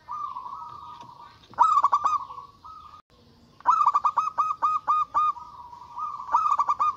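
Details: Local zebra dove with a big, loud voice calling rivals in an agitated state: drawn-out cooing tones alternating with bursts of fast, evenly pulsed staccato notes, the longest run holding about eight beats before a level tail.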